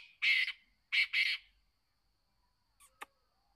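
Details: Black francolin, a young kept male about one to one and a half years old, gives a harsh, grating burst followed after a pause by a rapid double rasping note; a faint click and soft chirp follow in quiet surroundings.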